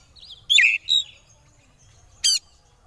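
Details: Brief konslet-style oriental magpie-robin phrase used as a lure for rivals: two loud harsh rasping notes in quick succession, followed after a gap by a single sharp rattling chip.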